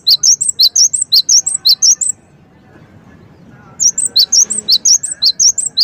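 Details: Javan sparrow song used as a lure to provoke other birds into answering: loud, high, rapid repeated chirps in a fast regular series, pausing about two seconds before resuming, with faint background hum.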